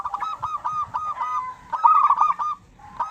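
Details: A local zebra dove in strong voice, used as a lure so other doves respond. Fast, bubbling coos run in two dense phrases with a short break, and a brief final note follows.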